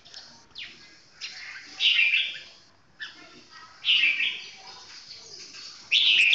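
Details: Slow, clear song of a red-whiskered bulbul, rich chirpy warbled phrases repeated about every two seconds, each rising to a loud bright peak.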